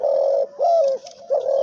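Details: Caged decoy dove delivering its jhumur call, a bird said to coo nine or ten times in a row: three deep, steady hooting coos, the middle one slightly rising then falling, in a small quiet room.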